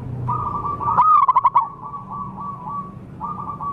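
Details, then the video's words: Wild local zebra dove used as a lure for wild birds: a soft, trilling coo held steady at one pitch, broken by a quick burst of about five louder rolled pulses, then the trill resumes and fades before returning at the end. "suara pancingan dan pikat burung perkutut liar lokal paling ampuh"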